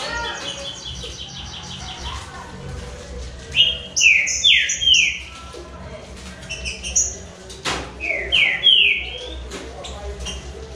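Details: Green-winged saltator (trinca-ferro), one of a trio of birds singing in a contest: loud, clear whistled phrases sliding downward, given in bursts around four and nine seconds, with sharp clicks and a low background hum.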